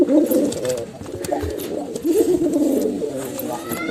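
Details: Male and female pigeons cooing in low, throaty, rolling phrases, with one phrase at the start and a longer one midway, with faint background clicks.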